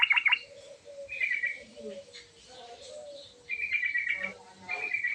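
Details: Yellow-vented bulbul in busy, varied song: short bright trilled bursts at the start and end, softer lower whistled notes in between, over faint background hiss.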